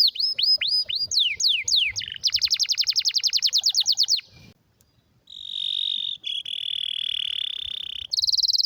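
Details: Canary giving a rare, strong song suited as a tutor for other canaries: a run of swooping down-slurred whistles, then a fast buzzy trill, a short silence, a long steady rolling trill and a final high rapid trill.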